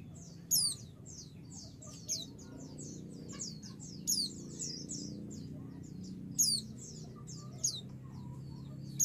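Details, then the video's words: Female white-eye calling out to a male to provoke a reply: piercing high descending chirps in clusters roughly every two seconds, with continuous soft twittering between them and a low hum throughout. "pleci betina memanggil jantan pasti langsung emosi"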